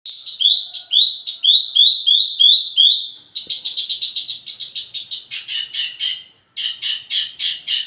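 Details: Wambi mini song used as a lure and tutor for flowerpeckers: a run of rapid, repeated, downslurred chirps, then dense buzzy trills and harsh rattling bursts, all high-pitched.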